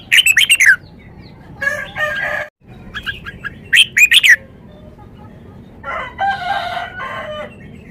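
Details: Red-whiskered bulbul performing its song repertoire: quick bursts of bright, bubbling whistled notes repeated in short phrases, alternating with a buzzier, rattling phrase, with other distant birds in the background.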